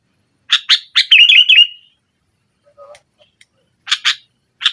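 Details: Energetic nggaruda-style singing of a sooty-headed bulbul, a lure to overpower rivals: a couple of sharp chirps, a rippling bubbly phrase, a brief quiet gap with soft notes, then more crisp chirps.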